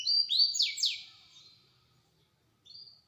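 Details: Small bird delivering a short sharp burst of song: a few high rising whistled sweeps and two steep downward slurs in quick succession, then a pause and one faint thin whistled note.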